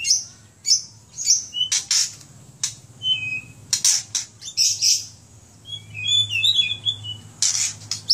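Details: Kept White-rumped shama from Aceh singing a varied phrase: sharp clicks and short high whistles, brief level whistled notes, then a fast jumbled warble, over a steady low hum.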